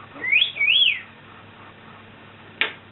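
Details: Pet African grey parrot, known for swearing and mimicking burping and farting, whistles two quick high notes that each rise and fall, then pauses before one sharp click, in a quiet indoor room.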